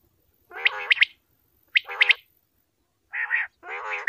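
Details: A male common quail (Coturnix coturnix) gives nasal, buzzy phrases, each topped by three sharp, clipped accents, in four bursts over about four seconds, with no other sounds.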